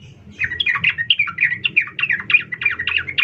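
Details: Female sooty-headed bulbul calling a male, giving a continuous stream of quick, slurred chirps at a steady lively pace over persistent low background noise.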